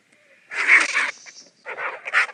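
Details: Several vultures quarrel over food, giving loud rasping hisses that start abruptly after a faint thin tone, pause briefly, then resume as choppy, breathy bursts.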